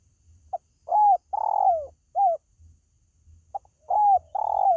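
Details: Spotted dove calling, used to draw in pet birds. One complete phrase of clipped opening notes, a smooth coo, a long rasping downward coo and a short last coo, followed after a gap by the start of the next phrase.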